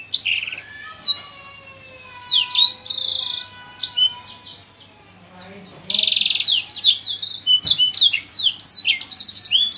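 Yellow-fronted canary song: quick bursts of high, sweet twitters, buzzy trills and sliding whistles, with brief pauses between phrases, over a low steady hum.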